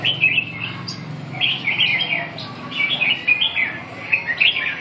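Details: Red-whiskered bulbul giving bright, bubbling warbled phrases in separate bursts about a second apart, each a quick run of rising and falling notes, over a low background hum.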